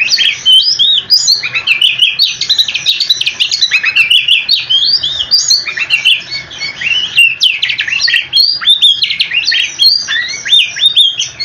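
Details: Long nonstop song of an oriental magpie-robin, meant to make other magpie-robins respond, with rapid varied chirps, whistles and trills pouring out without a break for over ten seconds.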